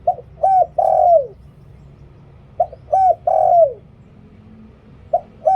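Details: Spotted dove used as a decoy bird for luring wild doves, singing in the หลิ่วตัน style: clear cooing phrases of a short note, then two longer notes, the last drooping downward. The phrases repeat roughly every two and a half seconds.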